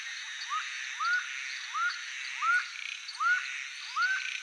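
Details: Laughing falcon (acauã), a Brazilian bird of bad omen in folk belief, calls a loud series of arched, rising-then-falling notes, one roughly every three-quarters of a second, against constant buzzing insects.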